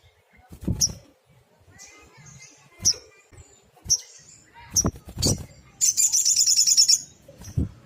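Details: Singing sunbird in 'tembakan' style, a rapid-fire song for tutoring small cage birds: sharp isolated high chips at intervals, then a one-second burst of fast shrill trilling, with faint clicks and rustling.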